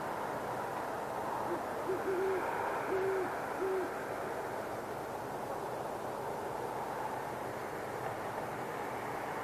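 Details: Great horned owl couple calling to each other at night near Boulder, Colorado, in January 2016: a short rhythmic series of low muffled hoots in the first four seconds, then only steady background hiss.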